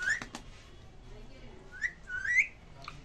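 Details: Indian ringneck parakeets kept indoors, said to be talking to each other in Hindi: short, shrill, rising whistled notes at the start, near the middle and just after, with sharp clicks between and a quiet room behind.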